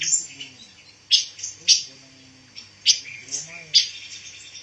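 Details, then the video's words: Pancawarna bird, a songbird used as song material for training white-rumped shamas. High, sharp chirps and short whistled notes come in bursts about every second, with a man speaking faintly underneath. "SUARA BURUNG PANCAWARNA"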